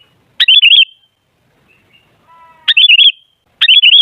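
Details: Sooty-headed bulbul lure song: bubbling whistled phrases of four to five quick undulating notes, repeated three times, with a faint soft tone between.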